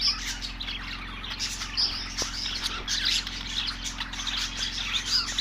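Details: Budgie chirping from many birds at once: continuous chattering warbles and thin chirps, a few clearer whistled notes standing out, against a steady low mechanical hum.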